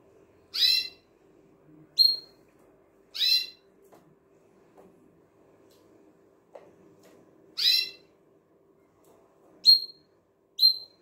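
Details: A Belgian canary at its daily bathing time gives short, bright chirping calls, a handful of separate notes spaced a second or more apart.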